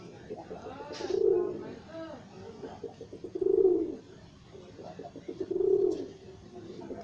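Pigeons give low, throaty cooing phrases that swell and fade, three of them about two seconds apart, in a quiet indoor space.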